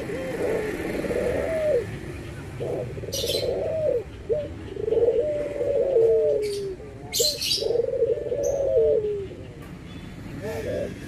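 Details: Cooing Barbary dove, white and brown birds compared: repeated low, hollow, drawn-out coos, each lasting over a second and ending in a slight upturn, with brief sharp chirps and rustling scattered among them.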